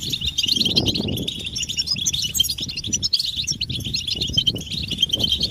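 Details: European goldfinches in a group chorus of mating and readiness twitters, used to stir silent males into song: dense, continuous high chattering trills with quick buzzy notes, plus a low rumbling and fluttering background.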